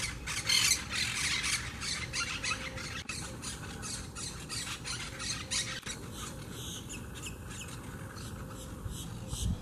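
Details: Wild Quaker, or Monk, parakeets from a noisy colony at a huge twig nest in a palm tree by the beach in Southwest Florida. Harsh, broadband squawks come thick and overlapping, loudest early, with a steady low background rumble.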